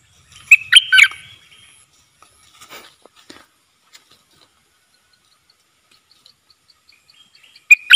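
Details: Wild bulbul keeping its distance from a cage, thought to have chicks in its nest, gives one short burst of sharp, bubbling notes, a few faint scattered clicks, then another bright note cluster at the end.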